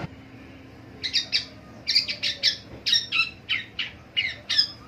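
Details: Long-tailed shrike calling in the morning: harsh, clipped double and triple notes repeated in quick bursts about every half second, clear over a quiet background.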